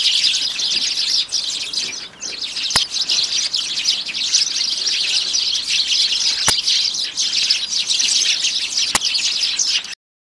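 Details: A noisy group of sparrows at a home bird table on 2 January makes a continuous dense mass of high chirps and twitters, with a few sharp clicks in between.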